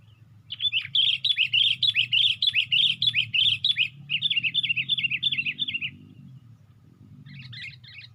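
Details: Sooty-headed bulbul in a lure recording, raising its wings on a branch: a loud run of about twenty quick, bright, rising-and-falling chirped notes at a steady pace, then a short pause and a brief cluster of higher notes.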